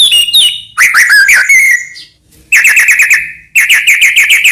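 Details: Song of a white-rumped shama for prompting other shamas to sing: varied slurred whistles, then two bursts of fast, evenly repeated chipping notes after short pauses.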